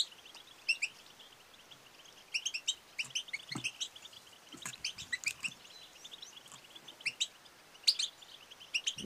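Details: Female European goldfinch calling, used to stimulate males to sing and mate; short bright chirps and twittering notes in scattered bursts, some quick runs of clipped tweets, with faint low background noise.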